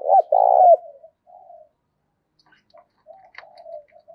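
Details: Intense spotted dove lure cooing meant to spur fights and draw in wild birds: a loud, husky two-part coo opens, followed by several faint, drawn-out mellow coos and a few soft clicks.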